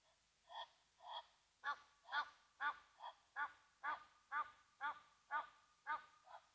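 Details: At Mabula Game Lodge's Gnu Pan waterhole in South Africa, Egyptian Geese react to a Brown Hyena with a rapid run of about thirteen hoarse, nasal honks, starting softly then growing louder and evenly spaced.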